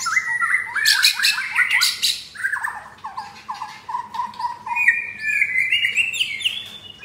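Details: Caged F4 white-rumped shama, blorok (mottled) chest, in Jakarta, Indonesia, sings rough material (materi kasar): rapid series of short downslurred whistles, harsh squawky bursts, and a rising fluted phrase near the end.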